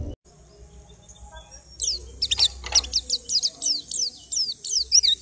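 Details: Caged white-eye taken from a crowded dealer's group cage, singing within two weeks. High, thin, downslurred chirps follow one another quickly after a quiet start, with faint background murmur and a few clicks.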